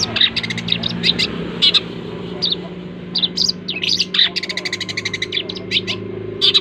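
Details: Long-tailed shrike giving an unusual call: rapid bursts of harsh, buzzy chirps near the top of the range, in irregular clusters with short gaps, over a steady low hum.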